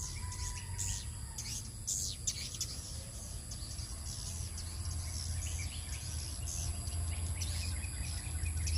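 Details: Swiftlets returning home at 17:50 in the evening give scattered high, thin chirps and brief twittering bursts, bunched near the start and again later, over a steady low rumble and faint constant high tones.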